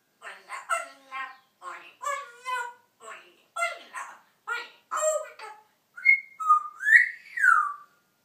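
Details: A pet African grey parrot talking freely, chattering about a dozen quick, speech-like syllables, then ending with several clear whistles that rise and fall.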